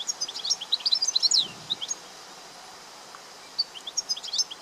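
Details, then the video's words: Wild European goldfinch giving bursts of rapid, high liquid twitters and chirps, a dense phrase at the start, a pause, then another twittering run toward the end. "طائر الحسون في الطبيعة"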